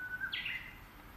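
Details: Japanese bush warbler singing unseen from cover, its voice gradually growing fainter: a level whistled note that jumps abruptly into a higher, sharp slurred phrase, heard over a steady background hiss.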